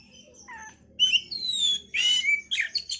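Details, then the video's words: Oriental magpie-robin song played to stimulate breeding condition: varied whistled notes and buzzy bursts, sliding downward phrases and harsh rasps, bright and high, with a faint low hum behind. "pancingan suara Kacer untuk mendongkrak birahi"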